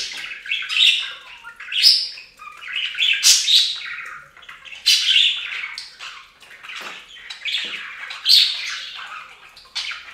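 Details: Domestic budgies splash in a bird fountain while chattering loudly: rapid buzzy warbles and bright chirps in bursts separated by short pauses.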